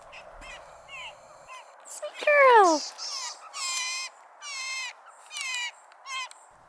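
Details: Two wild jays arriving at a feeding spot, calling together; a loud descending squawk is followed by a run of buzzy, rasping calls, with a few faint chirps before.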